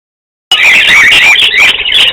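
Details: Several pet Budgerigars bathing in a birdbath in an outdoor flight chatter in a dense stream of harsh, squeaky, high-pitched notes.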